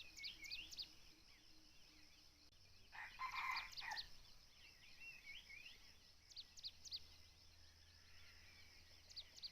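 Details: Red junglefowl in a forest where hunters use a decoy bird: one short, rasping crow about a second long rises mid-recording, with high chirping small birds and a steady insect hum around it.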